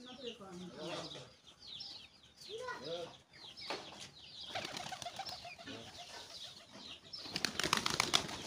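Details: Mating pigeons give low, throaty, rolling coos in short bursts, and the clip ends with clattering wingbeats and rustling.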